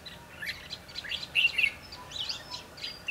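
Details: Red-whiskered bulbul singing while wild birds are trapped, 22 December 2015: lively, dense chatter of quick bright chirps and warbled notes, with a louder pair of clear whistled notes in the middle.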